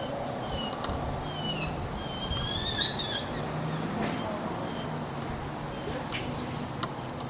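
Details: Multiple blue jays making noise: a louder run of stacked, whistled downslurred notes, then scattered softer repeats of the same short notes against a hum of background noise.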